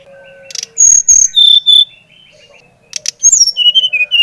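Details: Brown-chested jungle flycatcher of the Bali type, song used to stimulate another bird to sing: clear whistled notes, low steady tones then high slurred whistles, a pause, and a fast run of descending whistled notes.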